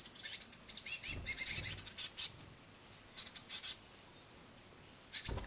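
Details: Great tit brood begging on a window sill as the mother delivers crushed madeleines; rapid, shrill squeaking bursts, then a short lull before another volley of high chirps and a thump at the end.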